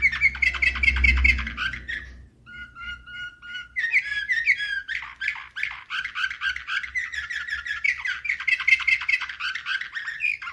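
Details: Canary singing in the Slavujar (nightingale) style, recorded in 2024: dense rolling trills and rapid chattering phrases, a short pause with evenly repeated clipped notes, then long bright trilled runs resume. Faint low hum underneath.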